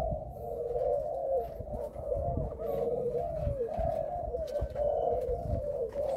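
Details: Spotted dove of Malaysian breeding, caged indoors, whose coo stutters over its first notes. Dense back-to-back low hoarse coos fill the stretch, over a soft rumbling background.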